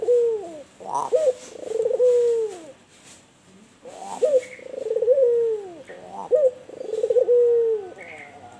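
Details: White albino puter dove cooing energetically in kuwor bekur fashion. Three to four phrases, each a clipped upward note followed by a sustained, soft, downward-sliding coo. A short pause separates them, and faint higher chirps occur now and then.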